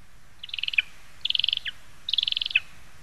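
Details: Lesser spotted eagle in a spruce in Zemgale, Latvia, recorded 22 August 2021. Three quick bursts of high, sharp yelping notes, about seven pulses each, come roughly every 0.8 seconds against a quiet background.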